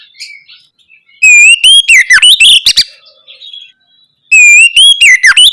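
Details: Lure song of an actively singing oriental magpie-robin, ngeplong style, meant to stimulate young birds into replying. Starts with faint chirps, then two loud bursts, each a bright upslurred whistle followed by rapid warbled notes and dry ticking clicks.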